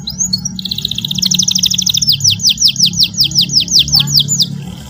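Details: Juvenile canary practising song while a model song plays for it to copy; a fast high trill gives way to a row of about a dozen down-swept whistled notes, with a low hum underneath.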